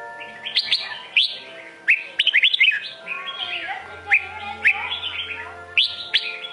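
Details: Singing Sông Kôn red-whiskered bulbul: repeated bursts of quick, chirpy whistled notes, some in fast clusters of four or five, separated by softer warbled passages, with a thin continuous hum in the background.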